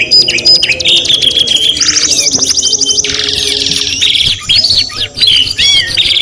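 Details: Canary singing loudly and continuously: rapid rolling trills, buzzy rattles and high whistled runs switching every second or so, with a short pause near four seconds before the trills resume.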